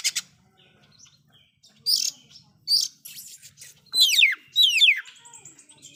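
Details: Oriental magpie-robin's loud fill-in song, which provokes other magpie-robins: a few short high buzzy notes spaced apart, then two rich cascading downslurred phrases close together, trailing into a soft high whistle.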